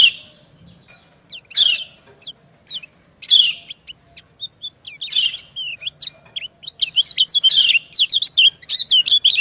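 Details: Female white-eye calling and coaxing a male, the two answering each other; buzzy high chirp bursts first, then a fast run of thin rising and falling twittering notes toward the end.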